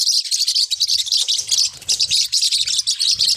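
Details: Forpus parrotlets, small hook-billed parrots, giving a dense stream of rapid, high, overlapping chirps and tweets with hardly a pause, several birds seemingly calling at once, over a faint low rumble.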